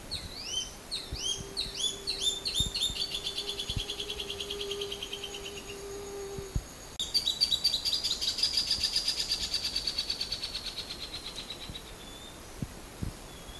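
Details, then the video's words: Crescent-chested puffbird song: long series of thin, high, evenly spaced notes that slowly fall in pitch and fade, followed by a second rapid run of high piping notes; a steady low hum runs beneath the first half. "CANTO DO PÁSSARO BARBUDO RAJADO"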